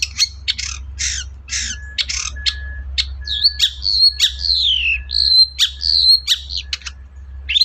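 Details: Long-tailed shrike song used as a lure to prompt a quiet shrike to sing: harsh buzzy notes, then clear descending whistles and sharp chirps, over a low steady hum.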